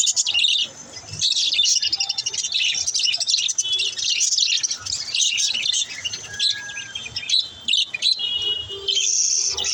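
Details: Chirping budgerigars, kept as pets, offered so lonely budgies will chirp: steady high-pitched chattering and rapid twittering, with occasional clear whistled tones and short gaps between bursts.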